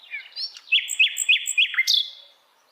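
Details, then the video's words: In the wild forest, a Sikatan Londo flycatcher gives a steady high whistle broken by about five evenly spaced sharp chips. It finishes with a bright upward flourish. "kicauan Sikatan Londo Dialam Hutan Liar"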